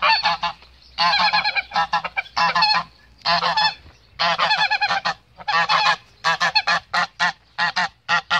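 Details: A male goose shielding its female honks almost continuously, with long blaring calls and quick clipped notes in rapid succession and only brief gaps between bursts.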